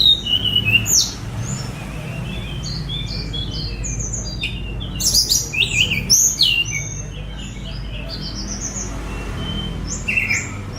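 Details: Phone-recorded Sunda robin, known as tledekan gunung, a spotted bird let out free for mastering; energetic high whistled phrases with rapid swooping notes and loud piercing bursts, broken by brief quieter stretches.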